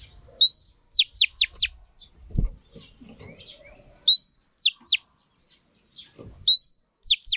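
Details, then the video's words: Female Oriental magpie-robin, used to stimulate males in training, repeats a phrase of a rising whistle and three or four swift downward-sweeping whistles, with a soft thud and faint twitters between phrases. "Choè than mái kích trống hay nhất"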